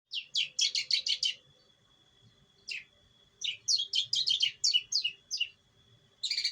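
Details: Long-tailed shrike from East Java, hand-raised from a chick, recorded as a training lure: tight runs of harsh, buzzy chattering notes, a pause, then fresh rapid bursts, over a faint steady high hum.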